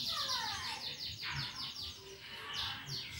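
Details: Caged canary in full, lively song with rapid trilling used to prompt other birds to sing; fast high sweeping notes and repeated trills tumbling over each other, with low background murmur.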